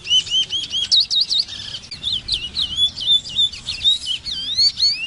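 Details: Large-billed seed finch, the congo, in full song: fluid, rolling whistled loops and quick slurred notes delivered without pause for five seconds, over faint low rumble.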